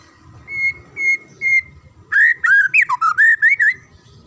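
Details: Magpie-robin song, used to get young birds singing. Three clear, level whistles spaced half a second apart lead into a quick series of twisting, up-and-down whistled notes.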